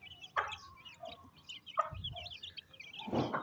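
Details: Hen feeding her chicks during rain in village Pakistan: a few sharp clucks spaced about a second apart, a steady thin tone, continuous high chick cheeps, and a low rumble at the close.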